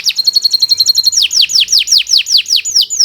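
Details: Kenari Nusantara canary training song: a quick run of short bright repeated notes, then loud downward-curving whistled sweeps about three times a second.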